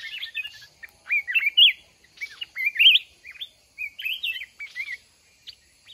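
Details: Red-whiskered bulbul of the mountain form in a caged decoy fighting trap, after a month in the cage, giving bright whistled phrases of rapid up-and-down notes, grouped in bursts about a second apart.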